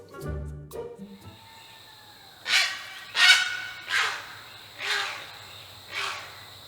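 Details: Great Blue Heron (Ardea herodias) in wetland shallows in the morning, giving five harsh, rasping squawks about a second apart, each a hoarse burst; brief low sounds come before the calls.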